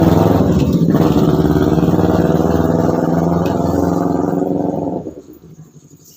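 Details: Motorcycle engine running loudly with a steady rumbling throb and clatter, then fading away after about five seconds; no animal voices heard.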